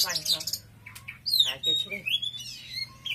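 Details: Oriental magpie-robin singing loudly, mixing rising and falling whistled slurs with short harsh notes, following a brief human voice at the start.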